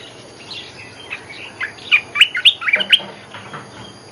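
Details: Olive-winged bulbul lure call, an active, lively singing bird: a rapid burst of bright, chirpy, slurred notes, some sharp and high, tumbling together in quick succession over a steady background hiss.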